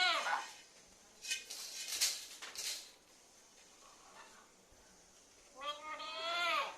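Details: Pet parrot heard in two harsh, harmonic-rich bursts, one at the start and a longer rising-and-falling screech near the end, with quieter clicks and rustles in between.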